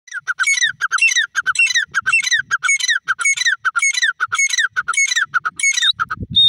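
Grey francolin giving loud, harsh, squeaky phrases repeated about twice a second in a steady series, ending with a brief low thump.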